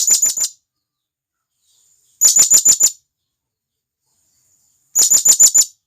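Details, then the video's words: Shrill calls of a wild blue-crowned hanging parrot summoning its companions in the forest: three quick strings of about six piercing high notes, recurring roughly every two and a half seconds, against silence. "Serindit Gacor"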